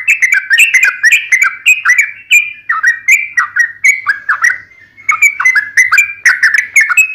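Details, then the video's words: Spirited sooty-headed bulbul song of repeated short liquid whistles, bubbling in quick phrases about twice a second with one brief lull near the end. "KICAU SUARA trucukan gacor TARUNG NGALAS ROPEL"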